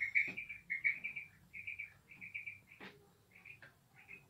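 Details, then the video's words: A female quail gives quick runs of high, chirping notes, often two or three together, with a couple of sharp clicks between them. "female quail sound"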